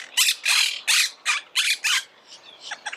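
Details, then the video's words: Harsh, grating squawks of a Monk parakeet, six loud screeches in quick succession at about three per second, then quieter short chattering calls trailing off. "Canto de la Cotorra - Sonido de Cotorras - Audio De La Cotorra Argentina"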